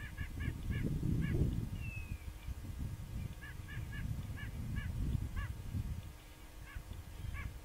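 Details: Bald eagles, a trio at a nest-cam site in backwaters of the Upper Mississippi River National Wildlife and Fish Refuge near Lock and Dam 13, Fulton, Illinois, February 3, 2019: faint high, thin chattering notes in quick repeated bursts over heavy low wind rumble.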